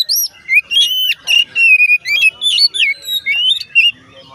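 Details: Song of an Oriental magpie-robin meant to make other magpie-robins sing: a steady run of about a dozen loud, clear whistled phrases with sweeping rising and falling notes.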